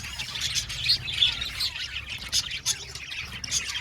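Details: Budgies in a colony aviary call in a jumble of short, pulsing chirps and squawks, some brief clear whistled notes standing out above the steady twittering.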